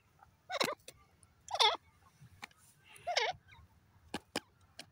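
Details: Grey francolin in a forest in Pakistan, locally called gora teetar: three loud harsh calls with repeated looping notes about one second apart, then sharp clicking ticks, over a faint low hum.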